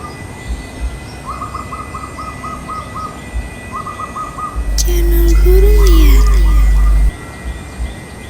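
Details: Wild zebra dove of Central Java, one of a pair answering each other from separate yard trees on a clear morning. Two quick runs of staccato cooing notes, then a loud low rumble and a sliding whistle, followed by more rapid notes.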